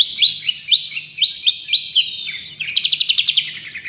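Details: Lively long-tailed shrike song (cendet or pentet) used for tutoring birds: evenly spaced, upswept whistled notes give way to a fast, pulsing, buzzy trill.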